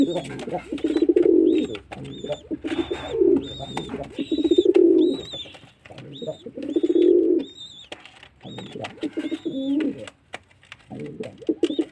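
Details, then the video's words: Repeated low pigeon coos, each a swelling, throaty rumble of about a second, coming in a steady series, with faint high whistled chirps of other birds throughout. "Pigeon sound"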